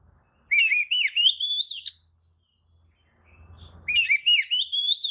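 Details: Oriental magpie-robin lure song meant to make any magpie-robin answer and spread its tail in agitation: two loud, buzzy-whistled phrases rising from mid to high pitch with slurred upsweeps, separated by a quiet gap with faint low rumble.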